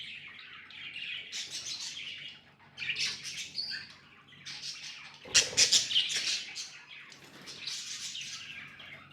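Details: Budgies chirping in separate bursts of buzzy, grating high warbles, one louder clattering burst midway, over a faint low hum.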